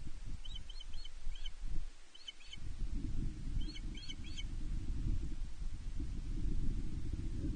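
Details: On 31 May 2023 at Loch Arkaig Nest One, a female osprey calls for a fish from her mate, caught by a nest camera: short clusters of three or four piercing, whistled chirps, then a pause, above continuous low rumbling noise.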